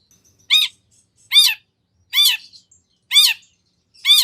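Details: Long-tailed shrike in energetic song with varied phrases, meant to lure another shrike into answering; harsh rasping notes with a low hooked start, repeated about once a second, five times.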